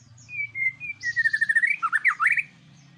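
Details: Lure song of a white-rumped shama, meant to provoke other birds: smooth slurred whistles give way to a fast, rising and falling trill of bright notes, with a low steady hum underneath.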